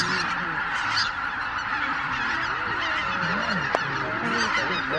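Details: Dawn roost departure of more than 83,000 Greater white-fronted geese at Miyajima-numa, 23 April 2017, dull weather, compact camera recording: a continuous chorus of honking with rising and falling yelping calls standing out against the massed flock's hiss.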